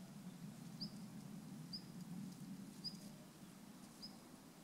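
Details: Male long-tailed rosefinch giving its ground call in Japan on 29 December 2013: four soft, thin, high whistled notes, each a short downslurred 'fee', spaced roughly a second apart over low background hum.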